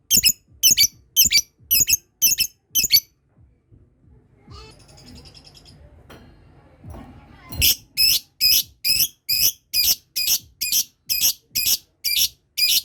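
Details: Lovebird practising ngekek while other birds that hear it start calling too. Six sharp, shrill bursts give way to a quiet stretch with low rustling, then a long run of about thirteen evenly spaced screechy bursts, roughly two per second.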